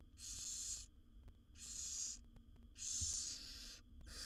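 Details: Wild barn owl owlets, seven chicks in a monitored nest box, begging while their mother feeds them; harsh hissing snores, each about half a second to a second long, repeated in a steady series with short gaps and low background hum.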